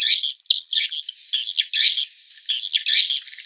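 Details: Lure call of edible-nest swiftlets used for a swiftlet house: steady, high, warbling twitter made of repeated buzzy chirp phrases, roughly one per second, with no gaps.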